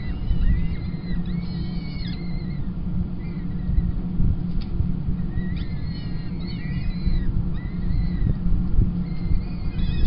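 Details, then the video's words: Feeding time at a Kingston College peregrine falcon nest, 28 April 2021, with the female replacing the tiercel. Bursts of high, thin, wavering squeals arrive in groups separated by pauses, over a steady low hum. "Kingston College Peregrine Chicks Feed 28-04-21"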